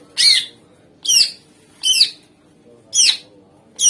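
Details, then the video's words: Greater green leafbird used as a lure to make other birds respond: loud, harsh, downward-sweeping chip notes repeated roughly once per second, each short and rasping, with a faint low hum behind. "Ampuh Suara Pancingan Cucak Ijo Gacor Di Jamin Langsung Ikut Nyaut Jenis Kicau Lain Mendegar"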